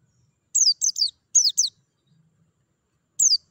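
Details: A run of four rapid, high falling chirps from a white-eye, followed after a pause by a single matching note; used to prompt singing. Background nearly silent.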